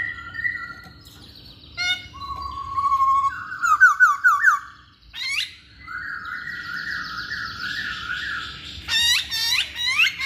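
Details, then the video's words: Masked laughingthrush, known as poksay hongkong, singing as a lure for reluctant males: varied whistled phrases, a fast run of repeated notes, long sustained tones and a burst of sharp upswept notes near the end. "Poksay Hongkong Jantan Manapun Pasti Nyaut Saat Dengar Pancingan ini"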